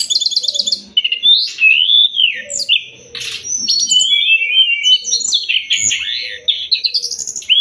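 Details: Training master of Sumatran leafbird song: rapid rattling notes, looping whistles, sliding slurs and chattering bursts in a continuous varied sequence, faint low hum in the background.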